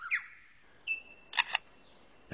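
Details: A male Superb Lyrebird in forest, singing to attract females, copies a camera shutter: dry clicking bursts in quick pairs, between a high upslurred chirp and a thin level whistle.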